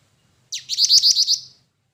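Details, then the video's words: Black-winged flycatcher-shrike (jingjing batu): a single burst of about a second of rapid, high, chattering chirps, six or seven bright notes run together, with a faint low hum beneath. "suara burung jingjing batu"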